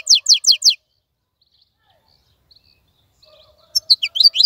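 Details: Wild-caught European goldfinch kept in a cage, singing with a clean voice: a quick run of four sharp, descending twittered notes, a pause of near silence, then a renewed burst of bright, tinkling chirps and trills.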